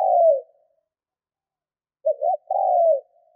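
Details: Decoy spotted dove under training, calling to lure wild doves: the tail of one falling coo, then after a pause a complete phrase of two short rising notes and a long, smooth descending coo. Silent background.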